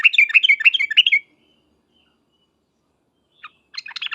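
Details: Sooty-headed bulbul lure call ('ngriwek uplik uplik') for prompting other bulbuls to respond: a quick burst of chattering notes, a long pause with a faint thin tone and a click, then another brief chatter.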